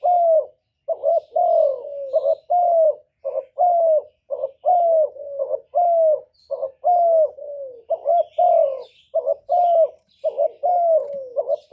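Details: Repeated cooing by a Spotted dove, recorded clean as a lure for pet doves: nearly one phrase per second, doubled notes with slurred falling tails, and faint twittering of small birds in the background.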